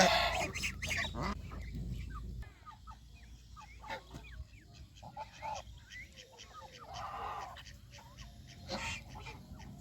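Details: Domestic geese on a countryside farm, leaving their pen, feeding on fresh greens and playing in water; a few short nasal honks rise above steady rustling, scattered clicks and splashy noises, with a loud burst at the start.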